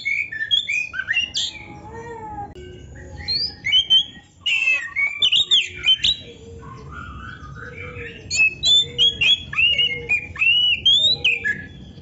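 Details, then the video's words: Oriental magpie-robin pouring out a long, varied song full of different phrases, meant for songbird training: slurred whistles, sharp clicks and twisting notes separated by short pauses. "MASTERAN KACER GACOR FULL ISIAN !! - Suara Burung Kacer yang cocok untuk Latihan kicau"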